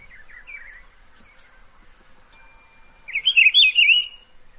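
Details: Rufous-browed Peppershrike, wild in Pernambuco, Brazil, singing from dense vegetation: faint distant warbling notes at first, a sharp metallic ping, then one loud, fluid, rolling whistled phrase of about a second.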